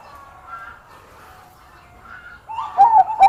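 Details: Bangkok-type zebra dove singing actively and skilled at luring rival singers: after a faint, murmuring background, a few loud, clipped cooing notes burst out near the end, mid-pitched and quickly repeated.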